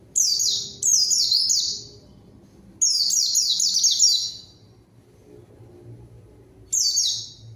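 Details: White-eye singing as a lure to challenge rivals and draw untrained birds into singing: four separate bursts of shrill, fast, cascading down-slurred notes, each about a second long, separated by short quiet gaps.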